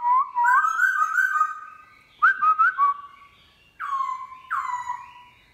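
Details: A captive black-throated laughingthrush sings a wild-type song in the morning: loud, rich whistled phrases around mid pitch, some wavering and others sliding downward, in three bursts with short pauses between.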